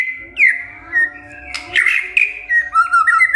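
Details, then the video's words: Provoked by a lure recording, a white-rumped shama sings long steady whistles broken by a rough burst, ending in quick warbled notes; low rumbling in the background. "Murai DIAM Tersentak NYAUT GACOR Dengar Pancingan Murai ini"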